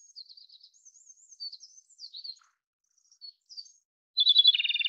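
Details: Soft, high, thin twittering and chirps at first, then a loud Japanese robin phrase at the end: a sharp whistled note leading into a rapid rattling trill that is cut off.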